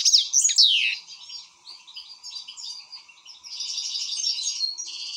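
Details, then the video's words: European goldfinch in an excited state opens with loud downward-sliding whistles, then continues with soft tinkling twitters before a denser, louder chattering trill; low faint hum present. "حسون هائج"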